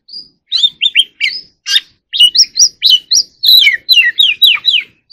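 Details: White-rumped shama song of crisp whistled notes in rapid sequence, many downward-sliding slurs repeated in groups, with short gaps between phrases.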